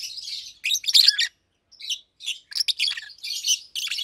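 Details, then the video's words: Two adult Fischer's lovebirds, almost two years old and caged, chirp in the daytime: shrill scratchy notes in tight clusters, a short silence, then renewed buzzy chattering. "Lovebirds Chirping, Lovebirds Singing - Two Agapornis Fischeri"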